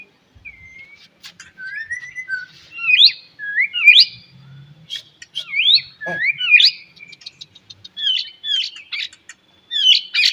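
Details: White-rumped shama singing in the morning, used to stimulate other shamas to sing: clear whistled phrases, sharply rising and falling slurs repeated in short groups, rich and varied, over a quiet background.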